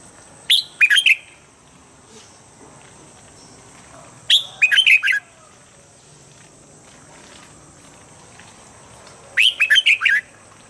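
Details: A red-whiskered bulbul gives its standard morning training song to bring birds into eager form. Three compact phrases of four or five rapid warbling notes recur about every four to five seconds against a quiet background.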